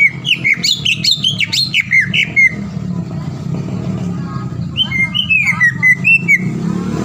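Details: Green leafbird song used as a lure to provoke rivals: harsh, squawky notes mixed with slurred whistles in the first two seconds, a quieter middle, then more whistled and chattering notes, over a low rumbling background.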